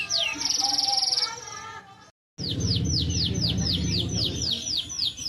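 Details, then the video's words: Canary singing melodiously: a high sustained buzzy trill, then after a brief gap a run of fast repeated downslurred whistles, with a strong low background hum throughout. "Short video of a canary singing melodiously"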